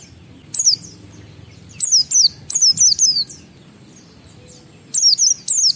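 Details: Oriental white-eye lure song for prompting other white-eyes: spaced clusters of two or three very high, sharply descending whistled notes with silent gaps between bursts.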